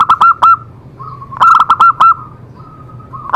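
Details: Zebra dove song for stirring other doves to sing: sharp, loud, clipped coo notes in two clusters of three to four, each cluster trailing into a quieter level trill.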